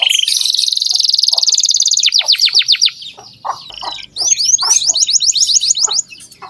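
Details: Energetic canary singing to coax young canaries into song: a long, dense, high rattling trill breaks into quick slurred notes, a short pause, then a rapid series of bright rising-falling whistles.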